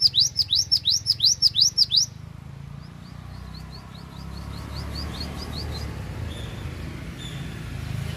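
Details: Cinereous tit from Takengon, Central Aceh, Indonesia, in a full song display: a fast run of about nine sharp, high, V-shaped whistled notes in two seconds, followed by fainter, thinner repeated notes over steady low background rumble.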